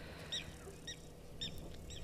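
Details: At a waterhole, a lapwing shouts in the background near a water monitor lizard on 24 September 2022. It gives four sharp, strident notes spaced about half a second apart over a low rumble of background noise.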